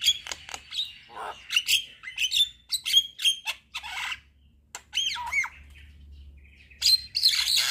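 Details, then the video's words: Javan myna (jalak kebo) in lively 'gacor' song with plenty of 'isian' fill phrases, nodding as it sings: rapid whistles and raspy squawks, a quiet stretch, then looping slurred notes and a loud harsh finish. "Kicauan Jalak Kebo Gacor MAnggut - Manggut Full Isian"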